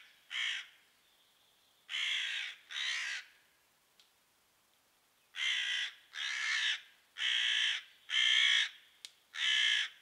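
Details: Mobbing crows scold a pine marten in their patch: a single harsh caw, then a pair, a pause broken by a faint click, and finally a run of five rapid caws.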